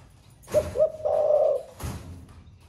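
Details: Captive spotted dove in the thổ pha song style, a bird newly in voice that sings all day: two short low coos, then one long hollow purring coo, with a sharp knock just after.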